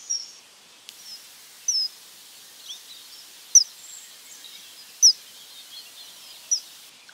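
Common kingfisher giving short, shrill, high whistled calls at irregular intervals, some sharper and louder than others, over quiet background hiss.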